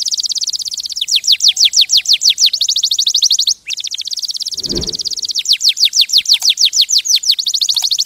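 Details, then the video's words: Canary delivering long rapid trills of high, downward-swept notes, with a short break and a brief low thump midway before the trilling resumes. "غناء كناري روعة Nyanyian burung kenari itu luar biasa"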